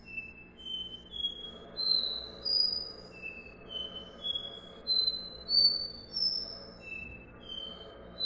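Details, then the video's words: Copper seedeater singing the "dó ré mi" song style: clear, pure whistled notes, each a short level or slightly sliding tone, strung in phrases that climb stepwise in pitch and then drop back, roughly one and a half notes per second. "CABOCLINHO VERDADEIRO - Sporophila Bouvreuil - CANTO DÓ RÉ MI"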